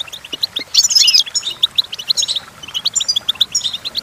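Goldfinch song: a fast, tinkling twitter of high, bright notes and short liquid trills, mixed with buzzy chirps, running without pause.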